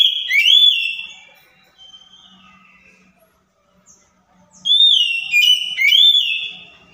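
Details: Oriental magpie-robin (kacer) song played as a provoking lure to make a silent, stressed bird answer: a loud whistled phrase of rising and falling slurs, a near-silent gap of about three seconds with faint low hum, then the phrase again.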